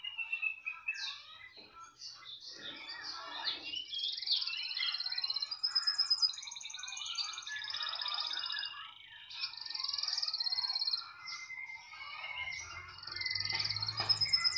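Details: Canary said to keep singing wherever it is placed, delivering a varied high song of trills, buzzy rolls and sustained whistled phrases with short pauses, faint low hum near the end.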